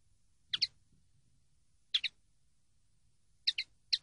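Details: Training-CD common linnet: sharp high double chirps, two pairs about a second and a half apart, then two more in quick succession, against a hushed background.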